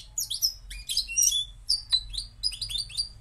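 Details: Moroccan goldfinch giving clear, separated high chirps and slurred tweets, some sweeping up and down, in short irregular groups.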